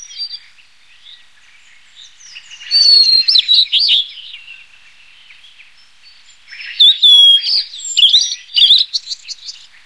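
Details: Song of a blue-and-white flycatcher: two loud phrases of mixed whistles, slurs and sharp chips, each about two seconds long, with quieter soft twittering before and between them.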